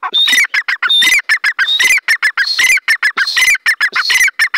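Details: Grey francolin being released, giving loud, harsh, rapidly repeated squawking notes with brief high whistled tones mixed in, about seventy-five phrases a minute, continuous and dominant with no other clear sounds.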